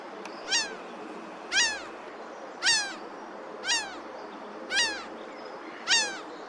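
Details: Wild laughing gulls on a sunny day give one loud, harsh, falling cry about once a second, six times in a row. Constant rushing surf or wind noise fills the background.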